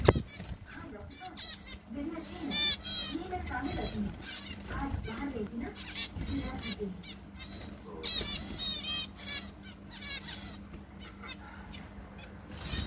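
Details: In summer in Tripura, Northeast India, a zebra finch sings short bursts of buzzy, nasal notes with a low murmur of voices behind.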